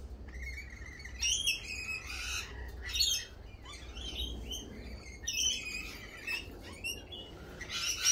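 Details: Lorikeets calling in spring, with scattered shrill squawks and screechy chatter in uneven bursts over a steady low background hum.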